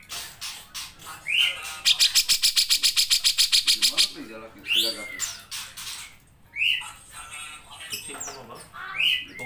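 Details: Long 'nembak' song of a grey-cheeked bulbul, made as a tutor recording for songbird keepers. Brief rising whistles, then a loud rapid series of about twenty sharp notes over two seconds, followed by scattered upward-sweeping whistles.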